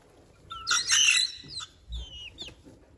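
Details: Two-month-old Lemon Millefleur Sablepoot bantam chicks, almost fully feathered, three hens and three cockerels in a garden. A loud, harsh, ragged squawk is followed by thin high whistled peeps that slide downward.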